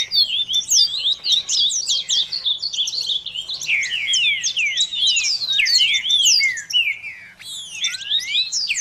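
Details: Double-collared seedeater tutor song for teaching young birds: a fast, unbroken stream of high, sweet, slurred whistles and chirps.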